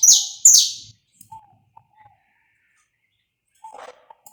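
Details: Live saffron finch recording meant to warm up a bird: two loud, bright, high notes dropping in pitch open the passage, followed by soft short low whistles and a brief rough chirp.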